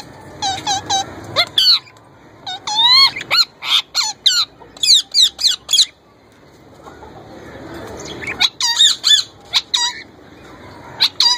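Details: Young male plum-headed parakeet trying to talk and mimic a ringneck parrot: long bursts of rapid, rising and falling squeaky chatter with whistly harmonic notes, a pause with faint rustling, then more quick chattering squeaks.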